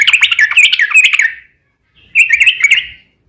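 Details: Sooty-headed bulbul lure song meant to set other bulbuls singing: a quick warbling phrase of chirpy notes, a pause, then a second shorter phrase.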